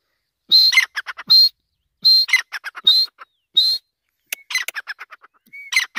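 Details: Grey francolin (Iranian teetar) giving repeated phrases, each a sharp high whistle followed by a fast burst of rough chattering notes, about three phrases in six seconds. Some thinner, higher whistles mix in near the end. Background otherwise quiet.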